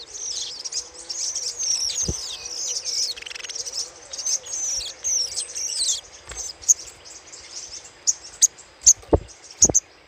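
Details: Little spiderhunter chatter played as a lure: about six seconds of dense, rapid, high-pitched twittering with looping notes, then a series of isolated sharp chips at the end, with occasional low knocks.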